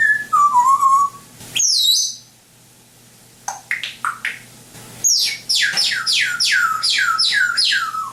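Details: Indoor African grey parrot giving sound-effect mimicry: a wavering descending whistle and a squawk, a few short falling chirps after a pause, then a rapid string of about a dozen high, downward-sweeping whistled notes.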